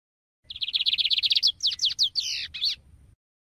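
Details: A fast, even trill of high notes from a Lined Seedeater, shifting midway into slower, looping sweeps that rise and fall steeply, with a soft low hum running underneath.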